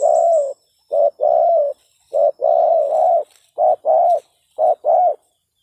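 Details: Spotted dove calling energetically, a call used to lure other doves: loud, mellow low coos grouped in two-part phrases, each note briefly rising then falling, repeated about once a second with short silent gaps.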